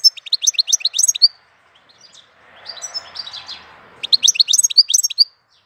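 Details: A goldfinch sings in April: fast, bright twittering runs of high notes at the start and end, with a quieter rushing background noise in the middle.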